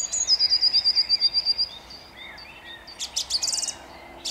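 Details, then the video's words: Song thrush in Jabłonna at dawn, 29 April 2021: a long run of about twelve identical ringing notes, brief softer notes after it, then a burst of rapid high chattering phrases. "Drozd śpiewak śpiewa o świcie"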